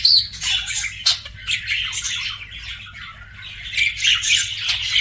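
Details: Pet budgie giving rapid, grating squawks and chirps that rise and fall in uneven bursts, with short clicks in between and a low steady hum beneath.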